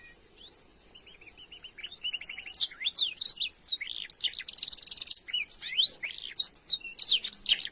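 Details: Canary singing a long, rich training song: starts softly with short high chirps and a rapid trill, then builds into loud, fast, varied phrases of sweeping whistles, buzzy rattles and sharp high notes, with no pause.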